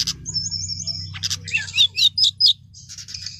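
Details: Brown-chested jungle flycatcher in long rolling song: a sustained high trill, then buzzy bursts and several loud sharp whistled notes in quick succession, with a low humming background throughout.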